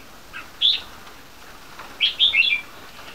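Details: A 3-month-old Red-whiskered × Yellow-vented Bulbul crossbreed (75%) gives a bright, warbled chirp, then after a pause a quick run of three liquid, bubbling notes.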